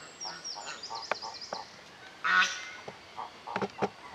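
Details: Family group of African geese: one loud, harsh, nasal honk in the middle, with short fainter nasal notes before and after. High twittering from small birds at the start and sharp clicks near the end.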